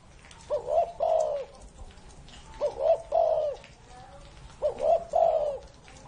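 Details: An old spotted dove, stated to be more than 30 years of age, gives three evenly spaced cooing phrases, a clipped double lead-in then a drawn-out soft coo, over a steady hissing background.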